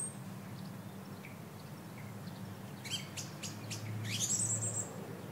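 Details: A song thrush (Turdus philomelos) recorded in 2022 in Variko, Pieria, Greece, gives a few sharp, high chirps, then a bright rising whistled phrase near the end, over a steady low rumble of background noise.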